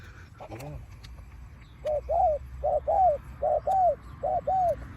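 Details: Spotted dove kept as a decoy to lure wild doves, calling in the pak khruen style. Brief speech, then five clear, mellow, downcurved coo pairs repeated at a brisk, even rhythm.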